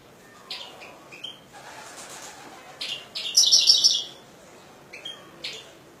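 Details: European goldfinch giving scattered single chirps, then a dense one-second burst of fast tinkling twitter, followed by a few more isolated high notes.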